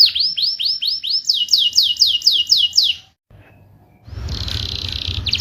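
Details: Canary song used as a lure to coax silent canaries back into singing: about a dozen bright descending whistled notes repeated rapidly, a brief pause, then a buzzy trill.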